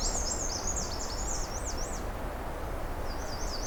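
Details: Black-and-white Warbler in June 2022 along the Pine Tree Point trail, north side, with a song less thin than usual: a string of high zigzag notes lasting two seconds, then a short fainter repeat, over a low rumbling background.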